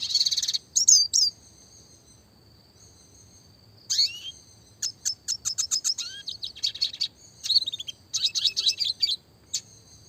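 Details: Red siskin song in the classic style, a clear-voiced training recording for small songbirds with roll and tembak variations: a buzzy opening burst, a pause, then rapid trains of sharp high chips and short rolls, densely packed.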